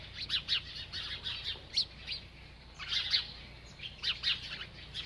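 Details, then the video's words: Bird chirping as it eats: short, separate, sharp high chirps, often in pairs or triplets, scattered about once a second over a quiet background. "This Happy Bird Won’t Stop Eating and Chirping"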